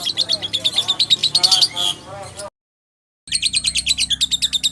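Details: Lovebird singing as training material for magpie-robins, a fast squeaky chatter of pulsed high notes, broken by a brief silent gap before the chattering resumes.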